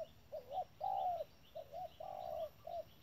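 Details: Spotted dove, a decoy bird calling at a trap, giving low cooing phrases: short paired coos followed by long drawn-out coos, repeated twice in three seconds with brief pauses, against a quiet rural background.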